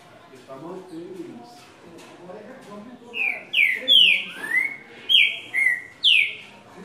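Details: Green-winged saltator from Brazil, a song with six 'boi' notes in the middle, used to warm up other birds: after three seconds of low murmur, loud clear whistled phrases, some sliding down and some rising, about six notes in quick succession.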